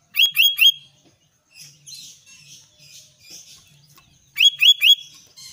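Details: Albino sooty-headed bulbul singing actively: two bursts of three quick, clear whistled notes, each slurring upward and then holding level, separated by soft scratchy chatter.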